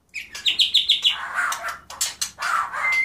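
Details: Sparrows in Souq al-Shuyukh, Iraq, sing a quick run of bright repeated chirps followed by rougher, buzzy twittering notes, with a faint background hum.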